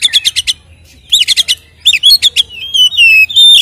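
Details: White-rumped shama, a captive bird whose varied song is used as a lure to provoke other kept shamas into aggression: bursts of rapid harsh chattering notes alternate with clear whistled slurs and sweet warbled phrases, loud and close, with faint low hum behind.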